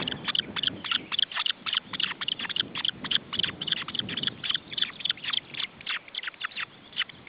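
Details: Osprey chicks at a nest in Estonia, June 2012, being fed: rapid series of high, short piping whistles, about three to four per second, steady and insistent throughout, over a low rumbling background.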